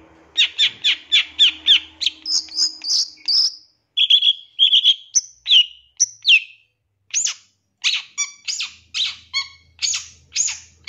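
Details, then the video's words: Lure song of a champion Long-tailed shrike (2023), used to provoke shrikes into singing: a quick series of scratchy chirps, then clear whistled slurs and sharp high notes, separated by short pauses. "Langsung Nyaut Pancingan Suara Pentet Bahan Agar Cepat Bunyi & Emosi ~ CENDET JUARA 2023"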